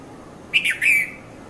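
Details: Early-morning red-vented bulbul, 5:30 to 5:40 a.m., Mount Lavinia, Sri Lanka, captured on a Nikon Coolpix P510: a quick bright chirp, a slurred middle note and a drawn-out warbling final note in one phrase.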